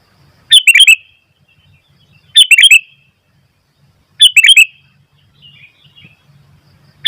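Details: Sooty-headed bulbul singing in full voice, with wild bulbuls becoming lively in response: short bubbly bursts of chirpy, slurred notes, three phrases spaced about two seconds apart, with silence between and a faint low hum.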